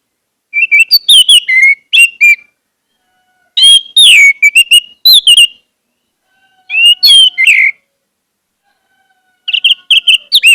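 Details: Orange-headed thrush song used to coax caged birds into singing. Four short bursts of bright whistled notes, sliding and warbling, arrive about every three seconds with silence between.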